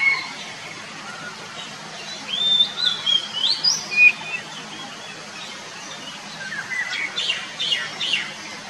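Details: A wild Oriental magpie-robin, recorded in the wild with other birds also singing, sings clear, varied whistles that slur up and down, then a run of quick sharp chirps, over a steady soft hiss.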